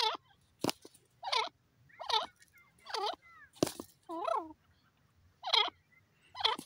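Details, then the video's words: Wild francolin giving loud, rasping, harmonic calls in bursts spaced less than a second apart, with a few sharp clicks between them. "wild bird teeter irani desi teetar ki boli partridge ki sound"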